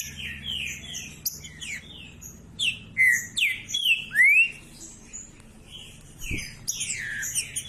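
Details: Caged green-winged saltator singing to warm up a cold bird, a bird valued for tournament singing: loud clear whistled phrases, several rising slurred notes in succession, with scattered softer chirps and a low background hum.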